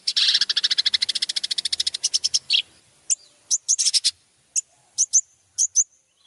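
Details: Long-tailed shrike training master song: a fast harsh rattling trill that slows and breaks off, followed by scattered sharp high chips spaced irregularly, with quiet gaps between.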